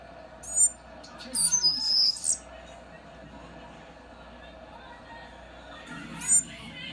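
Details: A pet male Mountain canary seedeater (Sporophila falcirostris), indoors in winter, gives brief, high, thin, passionate twittering phrases in three bursts, the longest about a second, over a low indoor hum and faint voices.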